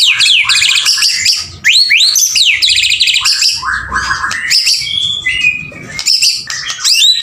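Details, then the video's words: Male White-rumped shama in full, energetic song: dense, loud high-pitched phrases of fast trills, rising sweeps and rattling notes pouring out almost without pause, with a few brief steadier whistles midway. "MB PJR gacorree polll"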